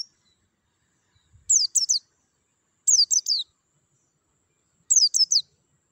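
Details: White-eye, for prompting caged birds to sing: phrases of three high, descending chirps, repeated roughly every one and a half to two seconds, with silence in between.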